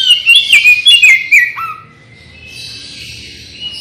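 An Oriental magpie-robin sings a quick run of loud, sweet whistles with slurred, falling notes for about a second and a half, then trails off into softer, scratchy twittering.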